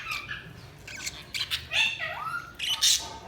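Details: Budgerigars giving scattered short chirps and harsh squawks, with one clear rising-then-falling whistled note and several brief buzzy bursts separated by quiet gaps.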